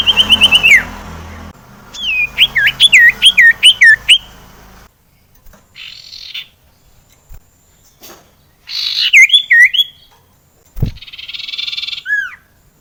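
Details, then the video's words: Common iora, locally sirtu, singing to lure reluctant sirtu birds into song: a quick trill sliding downward, a run of repeated looping whistles, then quieter scattered notes, another looping phrase and a buzzy burst. "sirtu gacor PALING MUJARAB UNTUK pancingan suara sirtu JARANG BUNYI AGAR burung sirtu gacor"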